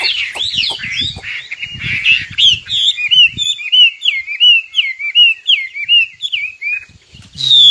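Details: A singing nightingale delivers a long string of short, clear whistled notes, each slurred up or down, repeated steadily about every half second after a scratchy opening.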